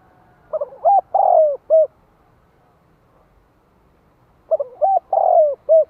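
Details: Spotted dove kept as a decoy, 'giọng hạp' voice, calling to stimulate wild doves: two matching coo phrases about four seconds apart, each stuttered double notes, a rising hoot, a long downward-sliding coo and a short close.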